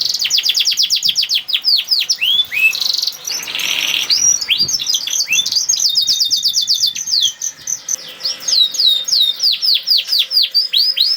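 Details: Canary song used as a lure to get other canaries singing: rapid trills of sharp downward-sweeping whistles repeated many times a second, broken by a brief buzzy burst and faster rolling phrases.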